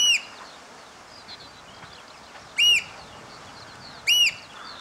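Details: Eurasian oystercatchers piping after the rain, recorded from a hide on a hand-held Panasonic SDR-S26: three shrill, ringing kleep notes at uneven gaps, the last two about 1.5 seconds apart, over soft hiss.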